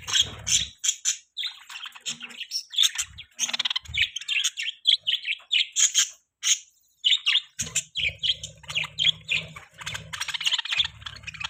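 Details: Pet budgies produce lively, continuous twittering: sharp high chirps and buzzy warbles in rapid pulses, with a low humming background in the later part.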